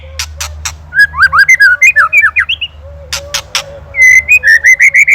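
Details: Indonesian white-rumped shama singing ketrekan-style master song for songbird training: loud clicking bursts, then a tumbling string of varied whistled slurs, ending in fast repeated bright chirps about four per second over a low hum.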